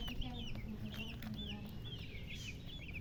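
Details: Chicks chirping, a busy chorus of high thin peeping notes, many overlapping and sliding, over a steady low hum.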